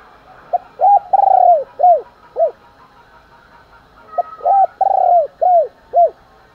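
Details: Spotted dove giving morning calls meant to provoke fighting. Two matching phrases of five notes: a brief opening note, then rounded, falling coos with one drawn-out note in the middle, delivered close and clear.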